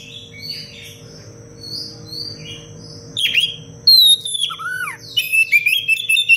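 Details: Tutor recording of a constantly singing Oriental magpie-robin in the dense, sharp cengkok rapat style: soft faint notes at first, then loud descending whistles, a looping lower note and rapid stuttering phrases.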